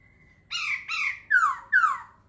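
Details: Laughingthrush singing: a thin steady whistle, then four loud rich phrases about every 0.4 seconds, the last two slurring downward. Quiet background.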